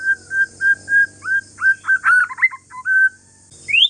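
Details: White-rumped shama of Aceh forest strain in relaxed song intended to set off other shamas: evenly spaced mellow whistled notes, then a burst of quick tangled slurs and a final rising whistle.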